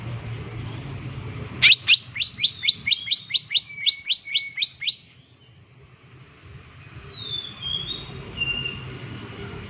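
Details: Green leafbird, a bird prepared for contest hanging, delivering the 'tembakan' shooting burst used as bait: a fast run of about fourteen sharp, rising slurred notes, followed by faint thin whistles over background hiss.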